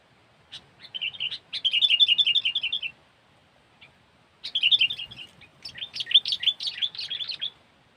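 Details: Sooty-headed bulbul, recorded for luring birds into a trap, giving long runs of rapid, warbling chatter that rise and fall quickly in two extended bursts split by a short silence.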